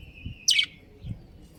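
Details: Budgerigar of a breeding pair giving a single short, harsh, buzzy chirp, with a thin steady whistling tone before it and quiet background.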